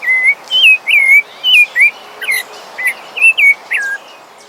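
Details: A thrush, identified as a sabiá, sings clear, fluting whistled phrases, each rising and falling, about twice a second in a varied sequence, with no other sounds.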